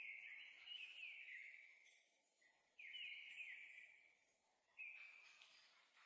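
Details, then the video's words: Song thrush singing on 3 April 2023 in the evening, after six o'clock, from the top of a tall pine near a former railway crossing on the road to Krasnye Ozera near Zarechny; drawn-out whistled phrases, each repeated, separated by short pauses. "Выступление с высокой трибуны певчего дрозда"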